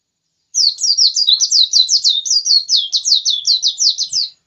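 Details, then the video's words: Pleci, a white-eye, in insistent song: an unbroken four-second stream of rapid, high-pitched, downslurred chirps tumbling together in a bright, jumbled warble over silence. "Pleci ngotot kicau"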